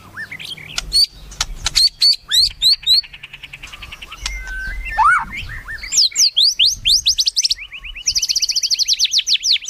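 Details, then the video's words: White-rumped shama singing melodiously: sharp chips and clear whistles, a swooping note, then extended fast high-pitched trills of rapid rising notes. "MURAI MERDU"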